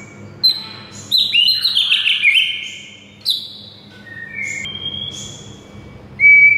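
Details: White-rumped shama singing on a training recording for silent birds: a dense burst of bright, slurred whistles high in pitch, followed by thinner sustained notes and a sharp final whistle.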